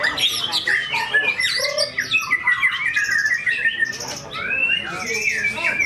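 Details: Tame white-rumped shama performing its mimicked fill-in phrases at a song contest in Indonesia: rapid, varied whistled and chattering notes sliding up and down in quick bursts, with other birds and faint voices behind.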